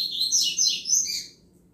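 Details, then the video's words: Short burst of 'chuva' song from a Double-collared seedeater, the style used to fire up other males: quick high twittering notes, fading away after about a second. "Canto Chuva de Coleiro Top Para Esquentar Qualquer Coleiro"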